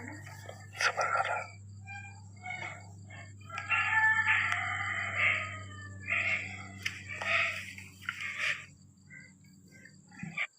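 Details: Three talking ringneck parrots having fun in the courtyard of a house give harsh, voice-like squawks and chattering phrases in bursts, with a steady low electrical hum and a faint high whine throughout.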